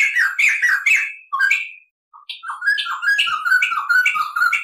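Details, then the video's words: Tutor recording of a white-crested laughingthrush giving long rolls and cackling: a burst of harsh, chattering notes, a brief gap, then a steady run of repeated whistled, slightly buzzy phrases. "SUARA MASTERAN POKSAY JAMBUL GACOR NGEROL"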